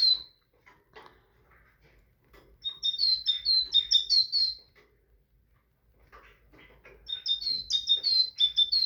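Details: Tit song: rapid runs of sharp, high repeated double notes delivered in two bursts, with a few soft scattered chirps and clicks between them.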